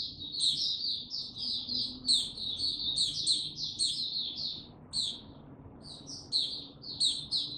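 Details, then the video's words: Warm-up singing of a male white-eye on 6 March 2022, still building confidence before full song: rapid bursts of high twittering broken by short pauses, with sharp squeaky accents scattered throughout. "Mata Puteh Before he open buka Tsunami Video 1 gaining confidence to buka slow n steady"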